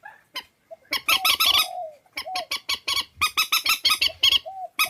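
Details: Swamphen calls pieced together as a trapping lure: long runs of loud, strident, honking squawks at about three per second, interspersed with brief lower whining notes.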